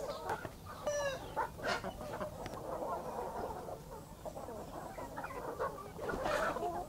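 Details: Hen and chicks in a country backyard in the morning: quick rising chirps and short clucks at first, then a low, busy clucking murmur, with a brighter flurry of calls near the end.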